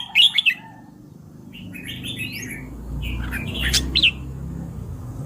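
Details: Red-whiskered bulbul giving short bright chirped notes at the start, then warbled rising phrases and a sharp descending note near the end, over a low steady background hum.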